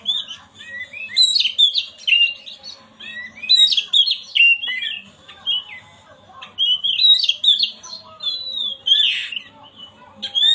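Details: Kacer, the Oriental magpie-robin, singing in a recording meant to coax a silent bird into song; rich bursts of mixed whistles, chirps and harsher notes come in clusters separated by brief pauses.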